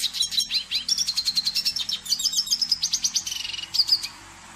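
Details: Singing red siskin (cardenalito): a steady run of quick high chirps and warbled trill phrases, evenly pulsed, fading out in the last half second, with a low background hum throughout.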